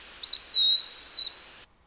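Eastern Wood-Pewee giving one clear, high whistle lasting about a second, slurred at the start then held level, with a faintly mournful tone. No other sounds.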